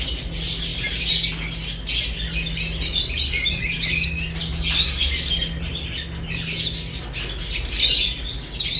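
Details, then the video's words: Eating lovebirds make bright, high-pitched chirps and squeaks in clustered bursts with short gaps, over a steady background hum. "Lovebirds unique colors eating and chirps sounds"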